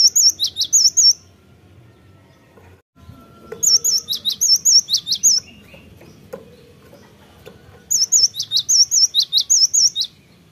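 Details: Three bouts of cinereous tit song used as a lure to make birds sing: each bout a fast string of high, ringing, two-note whistles, separated by pauses of a couple of seconds with faint background clicks.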